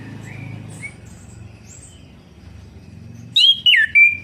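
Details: Orange-headed thrush song for stimulating a silent bird: faint soft notes at first, then a loud burst of three rich, slurred, warbling whistles near the end over low background hum.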